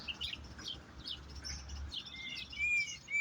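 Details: Goldfinch twittering in short high chirps, then drawn-out clear whistled notes in the last second, over a low background drone.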